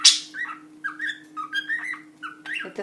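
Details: A pet budgerigar kept with a cockatiel chatters nonstop in its cage: a quick run of short warbled whistles and chirps, about a dozen notes in under three seconds, over a faint steady hum.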